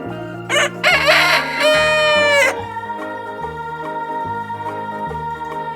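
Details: Rooster giving a single crow with rich harmonics, a short opening note followed by a long sustained tone that cuts off sharply. Gentle background music continues alone for the rest of the recording.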